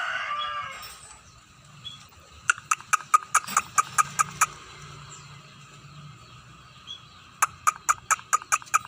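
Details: Scaly-breasted munia getting into full song: a fading wheezy note, then a string of sharp clicks, a quiet spell, and a second run of quick ticking notes over faint low noise.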